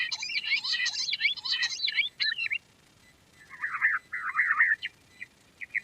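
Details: Quail, called a queen quail, recorded for use as a ringtone: rapid chattering chirps for two seconds, a short pause, then lower, squeaky twittering phrases and a few clipped notes.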